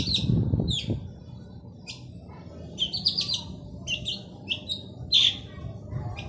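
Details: Vigorously singing male long-tailed shrike giving scattered scratchy, buzzy notes and short clustered bursts at irregular intervals, with some low thumping and steady background rumble.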